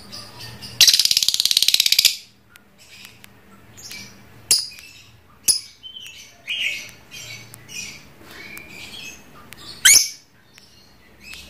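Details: Pet lovebird of the trondol type, kept by a hobbyist, chattering in the long ngekek style: a loud, harsh, rapid buzzing burst of about one second, followed by scattered sharp high chirps and squeaks.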